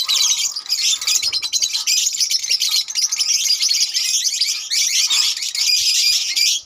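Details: Continuous shrill chatter from a lovebird colony, many birds squeaking and chirping at once in a dense, unbroken wall of high, harsh twittering that fades out at the end.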